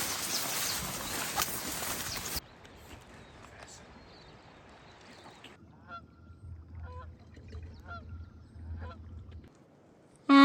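Geese give a series of nasal, harmonic honks after a burst of wind noise.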